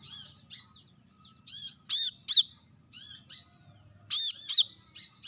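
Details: Brown-throated sunbird calling to rivals with shrill, high chips, some soft and buzzy, others loud doubled notes with a downward twist, grouped irregularly across a few seconds.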